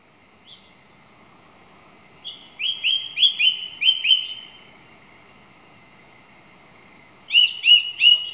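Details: Song thrush singing: one short whistled note, then a clear phrase repeated five times in quick succession, a pause, and a new phrase repeated three times.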